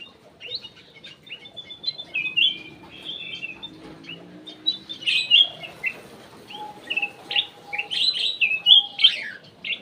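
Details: Aviary cucak emas (kutilang emas) singing as a lure (pancingan): lively, varied whistled and warbled phrases delivered in quick succession, some notes sliding up or down, with faint background murmur.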